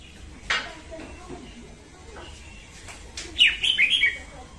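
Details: Female red-whiskered bulbul singing at dawn, a lure to train birds and to trap them; a sharp single note, quiet clicks, then a loud, rolling warble of four or five quick slurred notes.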